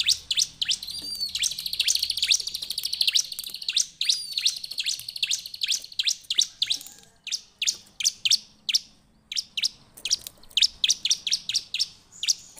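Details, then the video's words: Bar-winged prinia, locally called ciblek, in lively song: a dense run of high, sharp chirps and short trills, then a long series of separate sharp high notes repeated roughly twice a second, clean background. "suara ciblek gacor"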